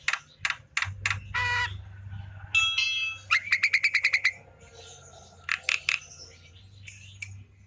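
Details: Javan myna in afternoon song, mixing rasping bursts, a harsh chatter, a rapid string of ticking clicks over a whistle, and later paired sharp notes.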